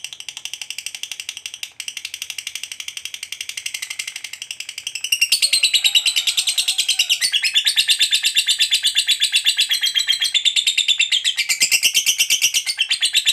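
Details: A fighter lovebird's long 'ngekek' trill, used to encourage other lovebirds to sing: a quieter rapid chatter opens, then about five seconds in it becomes a much louder, sustained, harsh, high-pitched rattling trill that runs to the end.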